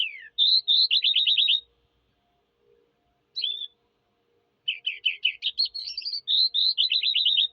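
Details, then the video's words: Eurasian skylark in song: a downslurred note leads into a rattling series of quick repeated notes, then near silence with one brief chirp, then another long, rapid, rattling and warbling phrase. "sky lark bird singing"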